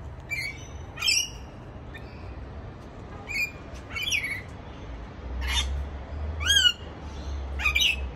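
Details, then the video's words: Rainbow lorikeet calling its friends over for a feast, giving a series of harsh, shrill screeches at irregular intervals, roughly eight bursts, some descending and buzzy, over a steady low background hum. "Rainbow lorikeet calling its friends for a feast"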